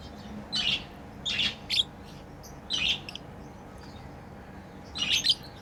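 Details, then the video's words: Playing pet lovebirds give four bursts of high, grating chirps, roughly one every second at first, then a pause before a final louder double burst. "Lovebirds playing & Chirping sounds"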